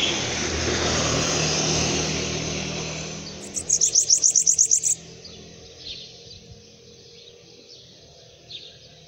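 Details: Hand-held Bananaquit: a broad rushing noise fades, then a brief burst of fast, high-pitched, buzzy repeated notes, followed by quieter background sounds.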